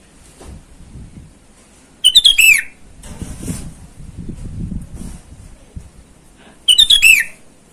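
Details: Sooty-headed bulbul calling to rivals in the wild, a lure call for attracting wild bulbuls: two bright, quick phrases of short chirps ending in a slurred downward whistle, about four and a half seconds apart, over low rustling background noise.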